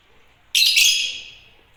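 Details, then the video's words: Agapornis lovebird giving a single harsh, high screech that starts abruptly and fades over about a second, in an otherwise quiet setting. "Agapornis lovebirds chirping sound"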